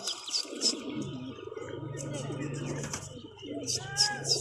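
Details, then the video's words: Pigeon loft full of birds giving deep, bubbling coos that run together in a continuous throaty murmur, with short high chirps and faint voices breaking in at the start and end. "Pigeons Sound In Pigeon Loft"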